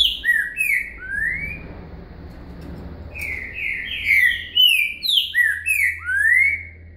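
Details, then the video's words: Singing lesson of a green-winged saltator in "boca mole com virada" style: brief slurred whistles, then a gap, then a longer phrase of seven or so rich, swooping notes ending in a rising whistle, over a low hum. "Aulas de canto Trinca Ferro Boca Mole com Virada"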